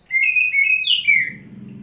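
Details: Kacer (Oriental magpie-robin) under 'setting basah', staying at one spot and displaying ngobra while pouring isian: a short run of clear ringing whistles ending in a downslurred note, with a faint low rumble.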